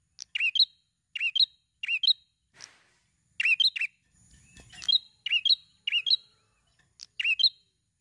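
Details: A prinia sings quick bursts of sharp, high chirping notes, repeated roughly every second, with a brief soft rustle midway, used as a lure to prompt other prinias to sing.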